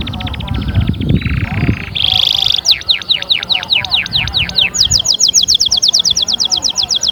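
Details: Canary song used to stimulate other canaries to sing: after two seconds of low rumbling background noise, a bright high buzzy tone gives way to fast repeated down-slurred whistles, then a rapid high rattling trill.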